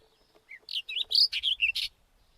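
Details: A White-tailed wheatear sings a short varied phrase of about 1.3 seconds: a soft rising note, then scratchy chirps and bright whistled slurs in quick succession, ending on a harsh buzzy note.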